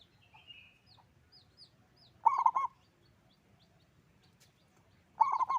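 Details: A local zebra dove with a strong voice delivers two quick, rolling series of low coos about three seconds apart, against scattered high chirps from other birds.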